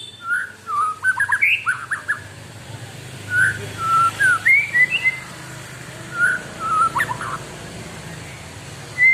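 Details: Caged white-rumped shama, kept with extra care and singing actively: varied clear whistled phrases of rising and falling notes in short bursts with pauses between, over a low steady hum.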